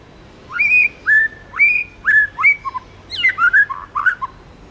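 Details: Tame White-rumped shama singing in the wild 'forest voice' style. Four loud upswept whistles come at steady one-second spacing, followed by a jumbled cluster of quick warbled notes.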